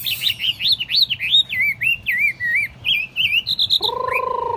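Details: Chinese hwamei, tame and caged in a portable table cage, delivers a rapid, rich string of looping whistled phrases, then higher steady notes, and closes with a harsher, nasal drawn-out note.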